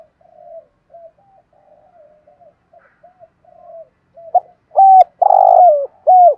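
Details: Lure spotted dove calling to wild doves, starting with a long run of faint, low soft coos, then finishing with three loud hollow coos, the second one drawn out.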